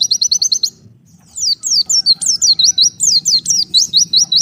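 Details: Lure recording of an oriental white-eye separated from its flock: a quick even run of short high chirps, a brief gap, then a steady series of swooping down-and-up notes.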